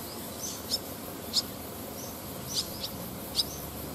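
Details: Barn swallow fledglings and parents resting on power lines near rice fields in Japan, 18 August 2020, amid flight training; a few scattered sharp high chirps roughly every second, with quieter thin notes between, low steady background noise.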